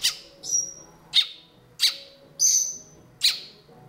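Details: A female Red-winged Blackbird chick gives high, harsh, buzzy chirps about every two-thirds of a second, begging during her first feeding. She was found alone on a bike path and is hand-fed an egg mixture until her crop is full. A faint low hum sits underneath.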